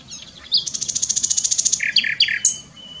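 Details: Singing common nightingale, Eifel region near Dohr, Germany, delivering a rapid high rattling trill of about twenty notes followed by a few lower, fuller notes and sharp accents.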